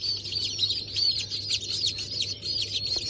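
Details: Newborn chicks from a 28 January 2024 hatch of Brahma, Sultan, Sussex and Wyandotte breeds give clear, arching high peeps, several per second, rising then dropping, over a soft constant hum.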